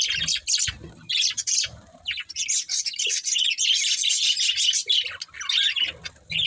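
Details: Pet budgerigars chirping: busy, buzzy high chatter in short bursts and warbles, with brief pauses and faint low thumps.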